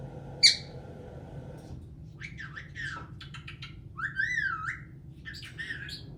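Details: A pet caique parrot, which sings, laughs and swears, gives a run of varied squeaks, chirps and bending whistles, with a loud squawk near the start, over a steady low hum.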